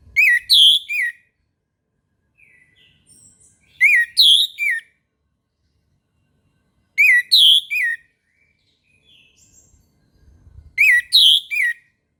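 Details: Orange-headed thrush singing in the morning: loud whistled phrases of rapid slurred notes between roughly 2 and 8k, repeated about every three seconds with quiet soft notes in the gaps.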